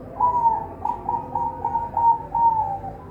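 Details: Farm-bred zebra dove from a breeding farm in Semarang, Indonesia, giving a clear series of short cooing notes around one pitch, spaced roughly every half second, over a low background rumble.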